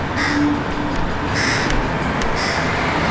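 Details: Crow fledgling at a balcony bird table, begging its parent for food: three harsh, nasal calls roughly a second apart, half buried under a loud, steady roar like traffic.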